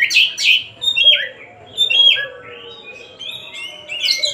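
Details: Oriental magpie-robin from Tasik singing: loud burst of high chattering notes, then sweet whistled phrases sliding down and up, separated by short pauses, with a quieter thin whistle between phrases.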